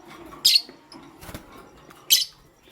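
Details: A pet lovebird, pastel gray or green, chirping in the morning: two short, harsh, shrill chirps about one and a half seconds apart over quiet background noise.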